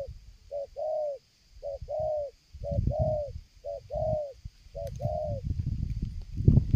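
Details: Spotted dove heard during luring, calling continuously while approaching from afar; short note plus longer mellow coo repeated regularly, with loud low rumbling and handling noise growing toward the end.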